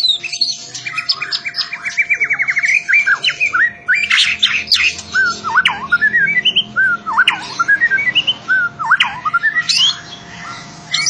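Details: Loud-voiced champion competition White-rumped shama pours out a varied song: rapid ticking trills, then rising and falling whistled phrases and sweeping slurs repeated in rich sequences. A constant low hum runs beneath.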